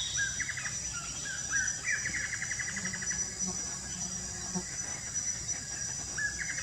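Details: Lesser kiskadee calling beside water, with a blackish antbird also present: short, buzzy, nasal notes in quick bursts at mid-high pitch, repeated through the clip over a steady high-pitched insect drone.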